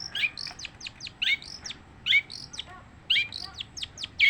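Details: Continuous long-tailed shrike song of quick descending whistled strokes and brief chirps, grouped in small rapid clusters with louder harsh accents about once a second.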